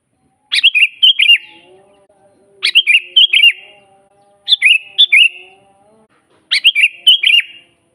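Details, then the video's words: Sooty-headed bulbul singing lively, natural master song for training other bulbuls: four short bubbly phrases of quick fluty notes with a sharp high opening, about two seconds apart, over a faint low tonal hum. "suara burung kutilang GACOR asli"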